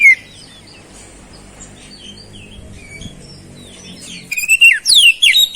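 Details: Oriental magpie-robin (kacer) in full song, with flowerpecker-style phrases (isian cabe-cabean): one brief loud note, several seconds of faint scattered chirps, then a fast, loud burst of piercing, swooping whistles to the end.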